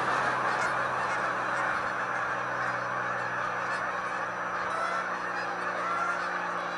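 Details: Wild Canada geese in a flock of hundreds rising into the air, an even blur of honks at rapid, irregular pace, with a steady low hum underneath and a few clearer high honks near the end.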